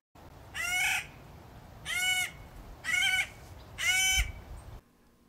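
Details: Clark's Nutcracker at the edge of timberline in high mountains gives four harsh, nasal, squeaky crowlike caws, about a third of a second each and a second apart; the call carries quite far.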